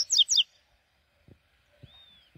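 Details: Double-collared seedeater heard in the morning giving two loud, rapid, steeply falling high notes, followed by a few soft knocks and one thin, drawn-out whistle.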